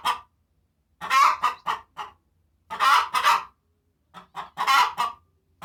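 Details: After laying an egg, a domestic hen described as Bourguiba type cackles with joy. She gives three groups of loud, raspy squawks, each group starting with a drawn-out harsh note and ending in quick clipped clucks, separated by short silences.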